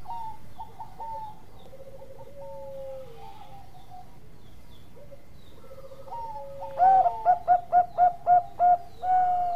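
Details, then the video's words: Bangkok-type zebra dove in full song. Soft, faint cooing phrases drift through the first seconds, then a loud run of seven quick, clipped coos follows, closing on a sustained coo. "Perkutut Bangkok Gacor Ampuh buat masteran"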